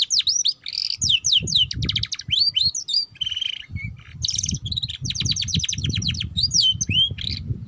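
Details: Young canary's ngeriwik chatter, a lure to start juvenile canaries singing: continuous varied song of looping whistles, rapid rattling trills and brief pure notes, with faint low rumbling underneath.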